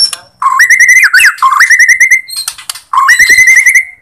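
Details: White-rumped shama, Bornean form, song used as a lure to provoke other shamas into singing: loud whistled phrases rising from low to a sustained trilling note, repeated in three bursts with short gaps, plus sharp high chips.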